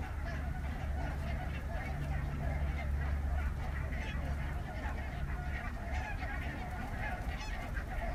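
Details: Hundreds of wild barnacle geese surrounding a hide on their wintering grounds in southern Scotland before sunrise, giving a dense, continuous chorus of distant overlapping honks over a steady low rumble of wind.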